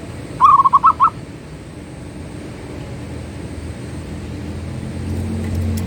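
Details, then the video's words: A Zebra dove gives one short burst of about six quick, mellow, bubbling whistled notes, followed by several seconds of only low rumbling background noise. "Suara Burung Perkutut Manggung || Zebra Dove"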